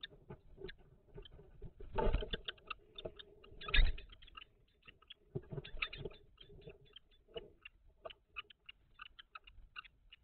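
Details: Kestrel nest box on 17 May 2023 during a food transfer; loud scuffling and thumps first, then a long run of short, sharp, repeated call notes at an uneven pace.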